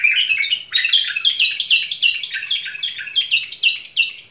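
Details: A tamed bulbul delivers an unbroken, fast run of sharp, descending chattering notes, bright and high, with nothing else audible.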